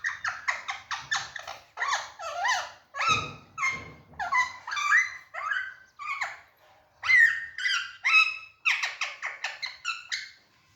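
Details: Alexandrine parakeet kept in a cage, lively and playful, delivers a rapid series of harsh, grating squawks, nearly two per second, with varied rising and falling shapes and a few rougher, noisier notes midway.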